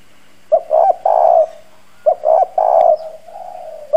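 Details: Spotted dove decoy with a rough country-style voice luring wild doves: two three-part coo phrases, each a quick note followed by two hoarse sustained coos, trailing into a soft low coo.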